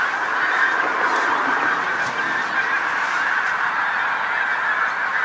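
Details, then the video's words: Large flock of Pink-footed Geese settling on a field beside the coast road in North Norfolk at sunset, a continuous dense chorus of many overlapping honking and yapping calls with no gaps. "Pink-footed Geese North Norfolk"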